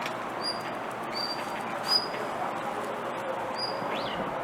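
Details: Blue rock thrush calling over and over rather than giving a pretty song: short, thin, high whistles, four spaced about a second apart, then a quick rising-and-falling note, over a steady broad hiss.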